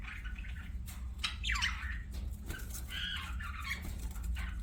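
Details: Budgerigar chirps and squawks: scattered warbling notes with one sharp sweeping squawk mid-way, over a steady low background hum.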